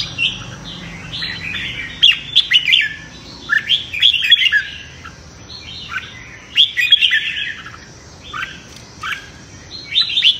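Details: Red-whiskered bulbul in morning competitive singing, aimed at training voice and provoking newly caught birds; busy series of sweet, slurred warbled phrases repeated about once a second, occasionally punctuated by short sharp clicks.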